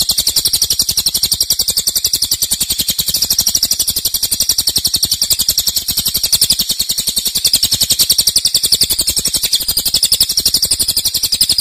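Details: Long, loud 'nembak' bout from a cililin, used as master song for other songbirds: relentless high, chattering notes in rapid regular succession, close to four per second, continuing over the whole stretch.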